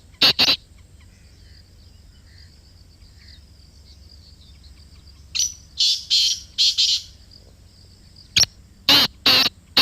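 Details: Close-range black francolin calling repeatedly: a short burst of two harsh notes, a long quiet gap, then a louder run of scratchy, rasping notes and a final quick triple phrase.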